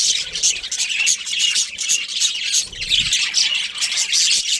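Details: Budgerigars of a breeding pair chirp in rapid pulses of high, raspy warbling, swelling and easing every second or so, with a soft low thump partway through.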